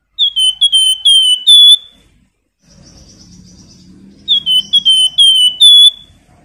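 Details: Flamboyan songbird singing, used to provoke a pet bird to sing: bright whistled phrases around 3–4k, slurred and repeated in quick bursts, a gap with faint low buzzy murmuring, then another run of sharp whistles.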